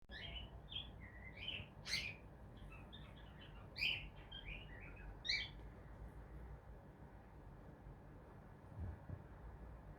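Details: A male cockatiel preening himself on his owner's knee gives soft, scratchy chirps and short warbled notes over a low indoor hum.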